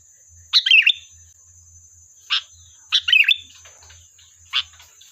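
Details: Sooty-headed bulbul singing as a lure to call out a reply: two bubbly warbled phrases alternating with single sharp chirps, about every one to two seconds, over a steady high hiss.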